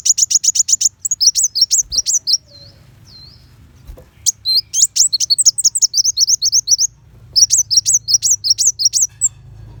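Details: Kolibri wulung sunbird giving 'besetan' bursts, recorded to teach white-rumped shama: rapid series of piercing high chirps, broken by short gaps of low background hum, then renewed twittering runs.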